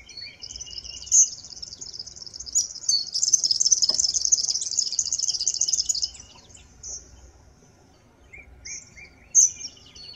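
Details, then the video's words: Eastern double-collared sunbird singing: a high, rapid jingling twitter that builds into a long continuous trilled run, then breaks into short separate chirps and sharp high notes, with a quiet background. "These sunbirds keep singin' their song"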